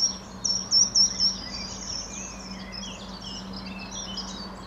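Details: Treecreeper at Boxberg, Genk, on 10 May 2013 gives four very high, thin notes in quick succession, then fainter scattered high twitters over a steady low hum.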